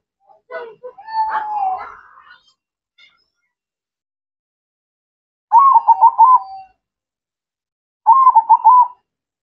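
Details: Local perkutut, a zebra dove, singing well: after a few seconds of mixed, scratchy background sounds, two loud, evenly trilled cooing phrases of about one second each come roughly two and a half seconds apart.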